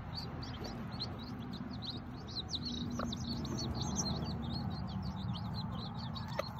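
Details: A bantam Sebright mother hen stays with her ten hatchlings on a hobby farm. A dense chorus of shrill, rapid chick cheeps runs throughout, with one or two deeper clucks over a steady low rumble.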